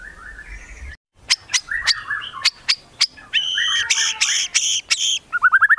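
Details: White-rumped shama of the Medan type, its lively song mixing copied sounds of other birds: warbled whistles between sharp clicks, a stretch of strident buzzy bursts, then a fast string of rising chirps.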